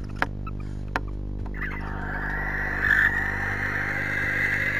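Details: A barn owl pair in a nest box at 3:16am on 19 January, greeting and mutually grooming; one gives a long, steady, breathy hiss lasting several seconds after two sharp knocks, over a low electrical hum.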